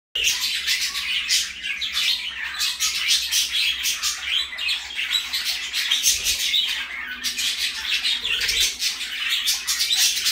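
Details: Pet parakeet calling indoors: a dense, unbroken stream of high chirps, squeaks and chattering notes runs for about ten seconds, with a brief low thump near the middle.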